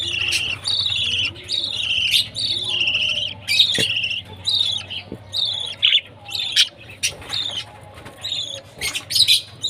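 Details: Chick budgerigar chirping at mealtime: strings of sharp, rising and falling harmonic chirps, some clipped and abrupt, in uneven bursts, with faint low background hum.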